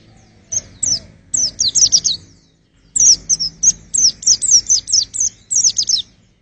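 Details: High twittering white-eye song used to test birds' vocals: rapid strings of thin downward-sweeping chirps, a short run followed by a longer, denser burst after a brief gap.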